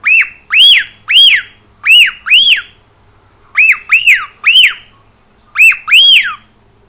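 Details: A pet cockatiel sings in bursts of sharp arched whistles, each note quickly rising and dropping, delivered in clusters of two to five with short silences between.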